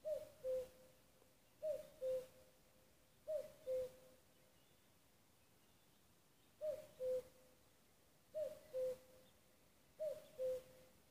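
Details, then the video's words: In Nuuksio, Finland, on 6 May 2015, a common cuckoo repeats its soft two-note cu-coo six times, roughly every one and a half seconds, with a short break midway. "Käki kukkuu"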